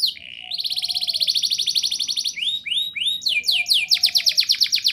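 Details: Canary song used to stimulate young canaries to sing: a low buzzy note, a long rapid rolling trill, sweeping upslurs, then quick bright descending trills; a soft lower whistle sounds beneath.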